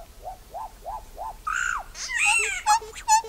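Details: Solitary black cacique singing: four soft arched whistles in a steady series, then a loud nasal downslurred note, a harsh ringing phrase and a few short clear whistles.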